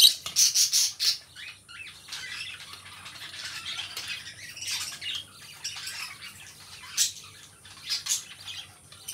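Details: Pet lovebirds, a pair of companion birds, open with a rapid string of harsh, loud squawks. These give way to quieter continuous scratchy chatter, with occasional louder shrieks.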